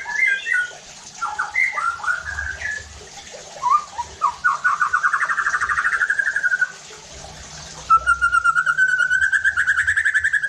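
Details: Lure song of a white-rumped shama for stirring other shamas to sing; short varied whistles give way to long fast buzzy trills, each holding a steady pitch.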